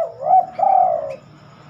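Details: Spotted dove calling during the night, an uncommon time for its song. A rising opening coo leads into a sustained, gently falling coo, with a faint steady background hum afterward.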